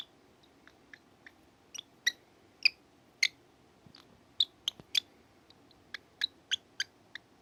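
A drowsy cockatiel gives soft, scattered chirps and squeaks, irregular and fairly high-pitched.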